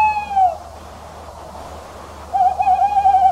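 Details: Tawny owl (Strix aluco), hoot.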